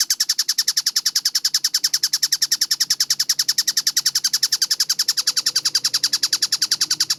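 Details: Masteran tutor recording of a tengkek buto, or kingfisher, dated 4 August 2026 and described as clear and rapid: a very regular stream of rasping, scratchy notes, about three and a half a second, continuing without pause.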